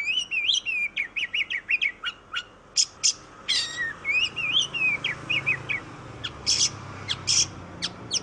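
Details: Kacer, the Indonesian oriental magpie-robin, a black-and-white songbird, delivering melodious song: rapid rising and falling whistled notes, trills and scratchy high accents in continuous phrases, with a faint low hum behind.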